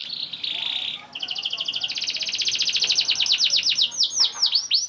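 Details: Young canary singing a rolling, chirping song used to prompt other canaries to sing: a buzzy high trill, a pause, then rapid rising chirps that slow into sweeping whistled notes.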